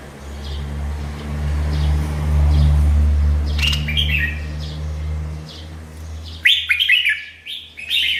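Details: Bulbul song: a loud low mechanical hum fills the first part, then rapid bright chirped and warbled notes burst out clearly in the final seconds.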